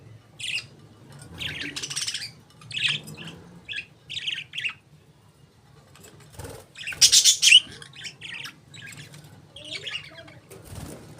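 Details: Budgerigars chirping: short bursts of high, scratchy warbles and squawky chirps in irregular clusters, with a louder harsh outburst midway and a steady low hum beneath.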